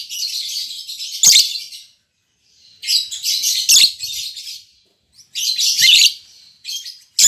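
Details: Newly paired captive albino MM male and lutino MM female lovebirds giving long bouts of harsh, buzzy high chatter, three main bursts with short gaps.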